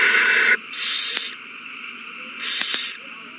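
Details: Owls at a nest in a frenzy over a mouse passed from one bird to another, 21 March 2020: a run of loud, rasping hiss bursts, each about half a second, separated by short quiet gaps.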